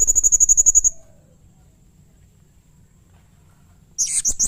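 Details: Actively singing blue-crowned hanging parrot (serindit) gives a quick run of about ten shrill, evenly spaced piping notes, a pause, then a harsh, buzzy flurry of high squeaks.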